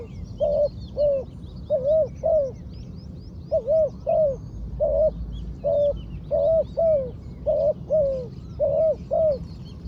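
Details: Trained spotted dove used as a ground decoy bird, giving steady, low, mellow coos in paired and triple phrases, each note rising then falling, repeated about every half second with short pauses; faint high chirps of other birds behind.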